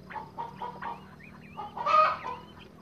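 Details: Crested partridge (Rollulus rouloul) kept for breeding, giving soft, low clucking notes about four times a second, then a louder burst with short rising whistles.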